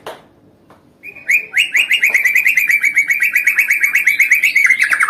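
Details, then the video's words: White-rumped shama song used to stir up a bird that has gone quiet: after a short silence, a rapid run of sharp, evenly pitched whistled notes, about five per second, sagging slightly in pitch at the end. "MASTERAN MURAI MACET PANCING EMOSI"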